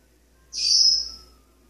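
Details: Caged pet male Maximilian's pionus parrot practising scales and song segments while perched on a kitchen sink faucet; one bright, high whistled note held for about a second, then fading.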